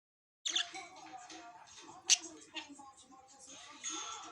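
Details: Pet budgerigars in captivity give crazy chirping chatter: a fast, scratchy warble of chirps, clicks and squeaky notes, almost speech-like.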